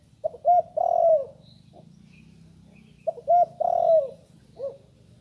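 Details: Young spotted dove that has only recently learned to call, recorded in dim light. Two soft, hollow cooing phrases, each a short stuttered lead-in, a longer drawn-out coo and a brief final note, separated by about two seconds of quiet with low background hum.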